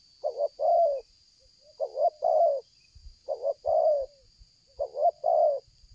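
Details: Strong-voiced spotted dove in a luring session, repeating 'selang gagap' phrases nonstop: a stuttered double note then a sustained mellow coo, four phrases spaced about 1.5 seconds apart, occasional low thuds and steady high whine.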